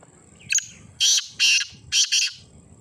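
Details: A black francolin gives its grating call: a brief clipped note, then a pair of loud scratchy bursts, a short pause, and another rasping pair, all high-pitched and harsh.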